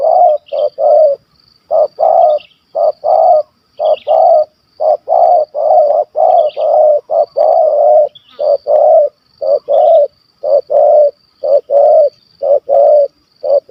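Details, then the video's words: Spotted dove, a hunted target bird in Malaysia described as a stammering caller with a big voice in kuk 1 2 style. Deep, loud coos come in short-long pairs about once a second, with faint high chirps from small birds. "Bl Gagap Suara Besar Kuk 1 2"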